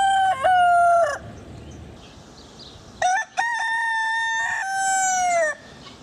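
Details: A rooster crows twice: a short harmonic-rich crow in the first second, then a longer crow from about three to five and a half seconds, each ending in a falling drawn-out note, with quiet background between.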